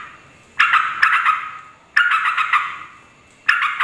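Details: Sooty-headed bulbul calling to lure and provoke other bulbuls: three separate bursts of harsh, bubbly chatter, each starting abruptly and fading over about a second, spaced by short quiet pauses.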